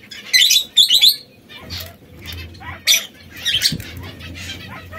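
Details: Three differently coloured canaries, red, yellow and brown, which squabble now and then: two loud, sharp, chattering bursts open, followed by softer scattered chirps, brief buzzes and a low background hum.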